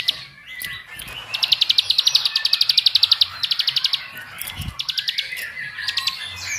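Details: Bar-winged prinia lure recording meant to make other prinias sing hard: scattered chips build into a dense two-second run of rapid high notes, followed by shorter bursts of the same ringing chirps and a brief low thump.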